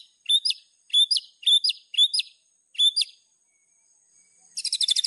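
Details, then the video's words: White-rumped shama singing a fill-rich master song for training: five repeated sharp, high double-noted chirps at about half-second intervals, then a burst of fast high trilling. "MASTERAN MURAI BATU GACOR !!! FULL ISIAN LANGSUNG EMOSI !"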